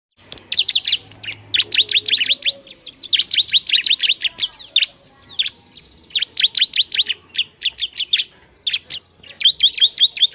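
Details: Bar-winged prinia singing noisily, a song meant to provoke other prinias: bursts of rapid, high chirped notes repeated in quick runs, with short pauses between bursts and a faint low hum beneath.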